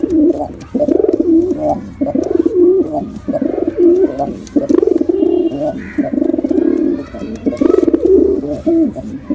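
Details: Domestic pigeons, male and female, cooing continuously in low throbbing pulses, many short rounded coos in close succession, with a steady low hum beneath.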